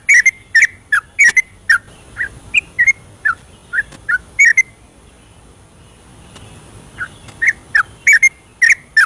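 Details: Bubbly whistled notes from a yellow-vented bulbul's night 'ropelan' song, a lure for birds that will not sing, delivered in a steady chain, then a pause of a few seconds before another run.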